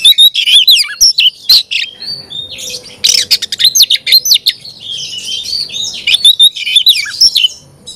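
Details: Oriental magpie-robin singing loud, nonstop 'gacor' song meant to fire up other magpie-robins: rich, varied whistles and slurred notes mixed with sharp chips, short trills and harsh rasps, delivered in rapid bursts over a faint low hum.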